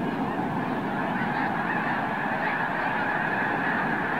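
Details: A vast flock of Arctic white geese takes flight at once at Oregon's Summer Lake Wildlife Area. The honking is continuous and massed, with countless birds calling over one another and no gaps.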